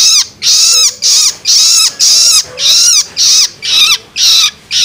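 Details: Long-tailed shrike chick begging, played to excite adult birds: nine loud, scratchy, buzzy squawks, each ending in a downward slur, repeated at a brisk, fairly even pace.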